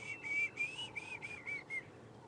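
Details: Diederik cuckoo gives a series of clear, high whistled notes in quick succession, slightly rising and falling, heard on an afternoon-to-sunset safari drive on 26 November 2014, with faint background bird chatter.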